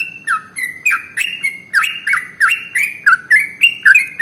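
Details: Sooty-headed bulbul (trucukan) giving rapid 'ropel' song used as a training lure for other songbirds: a string of slurred whistles, some swooping low then jumping higher, spaced about a third of a second apart.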